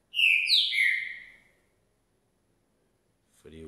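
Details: A male green-winged saltator, nearly three years old, of champion bloodline, sings after a bath in 6°C cold: one loud, rich whistled phrase of three slurred notes lasting just over a second, then a man starts speaking.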